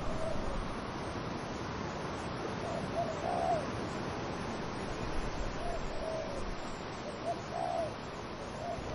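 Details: Soft dove cooing in the wind among trees, several faint rounded coo phrases scattered across steady windy hiss.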